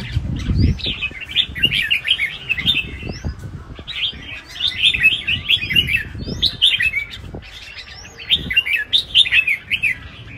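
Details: Red-whiskered bulbuls kept as cage birds, singing in competition at a large contest arena: bright, jerky whistled phrases with quick upslurs, repeated in bursts with short pauses, several birds overlapping, low thumps beneath.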